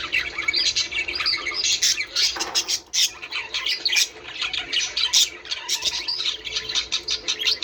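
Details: Flock of budgerigars, played to encourage breeding, filling the air with busy warbling chatter, sharp squawks and clicks, a brief lull near the middle before the overlapping twittering resumes.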